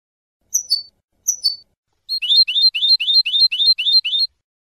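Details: European goldfinch clean song from a 2015 tutor recording made to teach young goldfinches to sing: two high, sliding twittered notes, then a rapid run of about ten bright, repeated down-slurred syllables. No other sounds.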